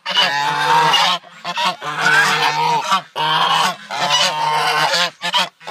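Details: Loud greeting honks from new geese at a farm sanctuary, raspy and nasal, delivered in three or four dense bursts with brief gaps.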